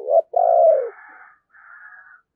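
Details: Spotted dove decoy bird cooing in the Tết season to lure wild doves: a brief low note, then a loud drawn-out coo that falls at its end, followed by fainter, higher hum.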